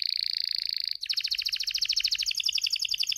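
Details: Male Spanish timbrado canary in breeding condition singing: a steady high buzzing roll for a second, then a fast run of repeated metallic notes, about three per second cycles, sliding gently downward.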